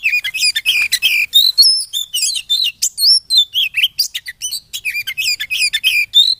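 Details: White-rumped shama, played to stir caged birds into singing, pouring out dense rapid phrases of high whistles, slurred notes and clicks in constant rhythm, with a clean quiet background.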